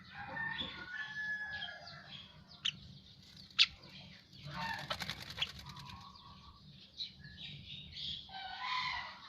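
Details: Asian pied starling singing after bathing: a varied jumble of whistled notes, harsh scratchy phrases and sharp clicks, with a buzzy rattling burst near the middle.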